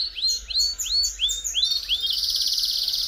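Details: Belgian canary singing to warm up another canary, five upswept whistled notes about every third of a second, ending in a dense buzzy trill, with a steady low background hum.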